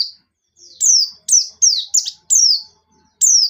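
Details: Short burst of lively white-eye song with sharp notes, used as a lure for untrained birds: a quick series of bright, high, falling chirps nearly back to back, over a faint steady low tone.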